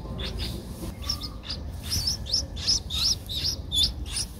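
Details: Streak-eared bulbul nestling, 11 days old, in Ubon Ratchathani, Thailand, on 13 April 2023: thin, high chirps repeated quickly and unevenly, growing louder toward the end, with low background rumble.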